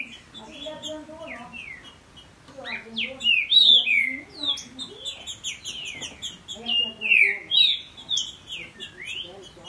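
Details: Song duel between a captive male Green-winged Saltator and his young offspring: quieter opening, then bursts of loud slurred whistles, phrases crowding over one another, a faint low murmur underneath.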